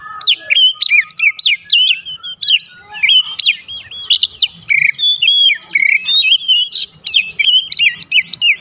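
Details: Continuous lure song of a white-rumped shama meant to trigger a reply from other birds; dense, loud sequence of varied whistles, sharp clicks and rapid mimic-like chirps, phrases repeating without pause.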